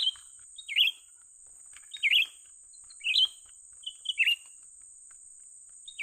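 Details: While luring birds for trapping, a young Grey-bellied Bulbul gives lively repeated chirps, paired sharp notes about once a second, against a persistent high-pitched hiss.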